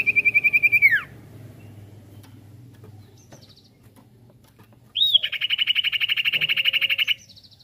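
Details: Sirtu singing as a lure to draw other birds into song, with rolling variations: a rapid rattling trill that falls steeply, a pause, then a sudden upslurred note launching a long, even, buzzy roll lasting about two seconds.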